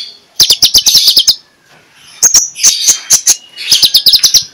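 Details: Lure song of a magpie-robin, morning 'ngeplong' type meant to start quiet magpie-robins singing: three rich bursts of rapid, bright whistled and clicking notes separated by short pauses.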